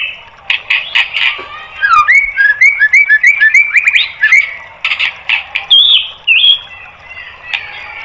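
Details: White-rumped shama singing for use in training caged birds. Opens with harsh buzzy bursts, then a quick chain of upward-swooping whistles, followed by more rasping notes and a high thin whistle.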